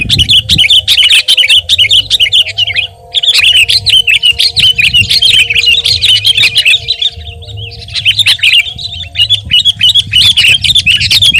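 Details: Continuous Sooty-headed bulbul song: rapid, bright, trilling chirps in long runs broken by brief pauses, with a soft low hum and a faint steady tone underneath.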